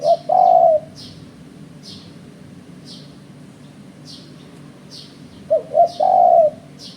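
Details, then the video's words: Spotted dove heard in a bird-luring setting: a drawn low coo at the start, then later a full phrase of two brief hoots and a long wavering coo, with regular high-pitched chirps ticking in the background. "Suara Burung Terkuku"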